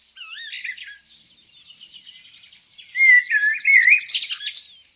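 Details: Nightingale among yellow flowers near Tonekabon in Mazandaran, northern Iran, where evergreen forests grow. Opens with looping whistles, then thin drawn notes, then a loud tumbling warbled phrase, all against a constant high buzzing background.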